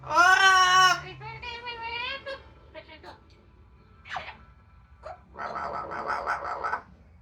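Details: Pet Yellow-naped amazon drying off outside after a shower on a sunny day: a loud harmonic squawk, then softer chatter and short scratchy notes, ending with a buzzy, speech-like burst.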